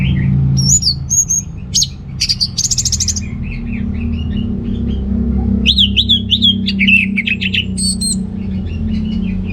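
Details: Orange-headed thrush in full song, used as a lure to stir male birds lacking breeding drive: varied loud whistled phrases, sharp high notes and quick buzzy trills mixed with warbled runs, over a steady low hum.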